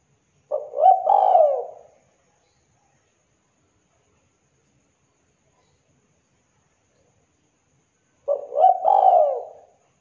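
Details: Two low cooing phrases from a zebra dove, about eight seconds apart. Each opens with brief stuttered notes, then a longer descending coo, with silence in between.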